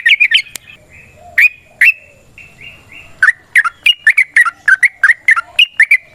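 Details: Yellow-vented bulbul in full voice, a rapid, long 'ropel' fighting song used as a lure. Rushed chirps open, a few scattered whistles and soft slurred notes follow, then a steady run of bubbly, rising-falling notes.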